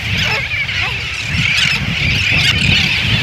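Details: Greater crested terns, summer visitors, give harsh, grating, rasping calls in a near-continuous overlapping chorus over low wind or surf; recorded at Miyako Island, Japan, or Michaelmas Cay near Cairns, Australia.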